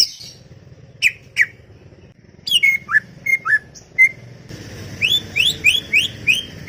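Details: Chattering greater green leafbird in a garden: two sharp notes, a few slurred falling whistles, then five rising whistled notes repeated about every third of a second over a steady background hiss.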